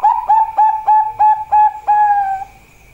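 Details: Zebra dove of the Bangkok type singing: a quick string of seven short, clear cooing notes on an even pitch, each with a sharp onset, merging into a final long, slightly rising held note.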